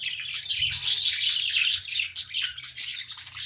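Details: Budgerigar chirping during playtime, a dense run of rapid high scratchy chirps and warbles with barely a pause, over faint low hum.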